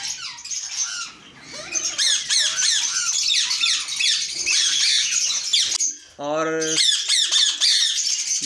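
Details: Indian ringneck parakeets in a breeding aviary, with pairs (green, pied and colour mutations) on duty at nest boxes and sitting on eggs, give a loud, steady stream of harsh, high screeching squawks over one another; a brief stacked nasal call cuts in near the end.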